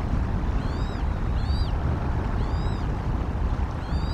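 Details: Bald eagle eaglet sleeping in its nest at Decorah during unusually hot, windy weather, briefly vocalizing: thin, high squeaky whistles that rise and then fall, about four in four seconds, over a strong low wind rumble.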